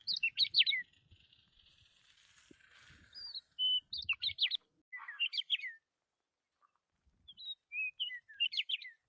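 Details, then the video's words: High, rapid twittering birdsong from trees swaying in the wind. Four or five short bursts of sharp chirps and whistled slurs are separated by brief pauses, with a soft low rumble underneath at times. "Trees swaying in the wind with birds singing"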